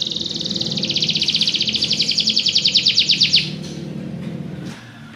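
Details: Belgian canary singing a fast, even trill of high repeated notes lasting about three seconds, ending abruptly, with low background rumble throughout.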